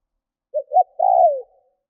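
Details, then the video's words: One complete coo from a lure spotted dove meant to provoke wild birds: a short note, a second short note, then a sustained, hoarse-toned coo falling away at the end. "CU GÁY MỒI THÚC GÙ KÍCH BỔI NHANH NỔI - TIẾNG CHIM CU GÁY KÍCH BỔI"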